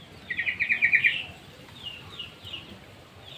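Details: Sooty-headed bulbul kept in a small aviary: a quick burst of about seven bright, chattering notes, followed by scattered thin chirps from other birds.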